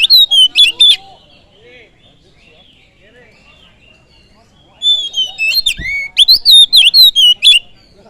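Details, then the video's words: Oriental magpie-robin song played to provoke other birds: a short burst of loud rising whistles, several seconds of quiet, then a longer phrase of sharp, rapidly repeated whistled notes. "Pancingan kacer full durasi"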